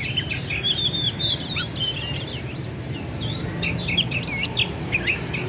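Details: A kacer, or Oriental magpie-robin, sings to goad rivals: continuous looping whistles, rising and falling slurred notes, and quick chirps over a constant low rumble.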